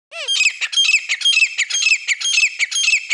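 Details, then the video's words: Grey francolin (desi teetar) from India, kept as a pair, giving harsh, squawking, high-pitched notes in a fast, fairly even series, roughly two per second, after one short rising note at the start. "teeter sound teeter hunting voice"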